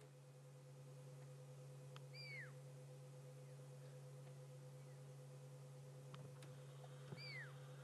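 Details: A fork-tailed drongo on a sunset safari drive, June 26, gives two high, falling whistles about five seconds apart, mimicking a pearl-spotted owl's territorial whistle, over a steady engine hum.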